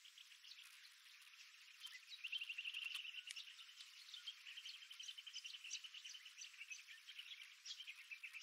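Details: Early morning desert birdsong from the rim of Wolfe Creek Crater in Western Australia's Kimberley region, captured with a GoPro Max 360: overlapping high twittering notes and rapid trills from several birds, steady throughout.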